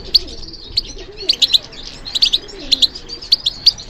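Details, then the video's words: European goldfinch in captivity singing short bright chirps and liquid twitters, spaced unevenly, some paired, with faint low background sounds. "How to encourage the goldfinch to respond to stimulation"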